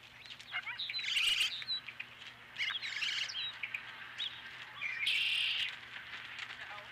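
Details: Osprey at a ranch nest on 12 April 2017, near a fish delivery in the early evening: three bursts of high, rough chirping notes, each about a second long, separated by quieter gaps with faint background hiss.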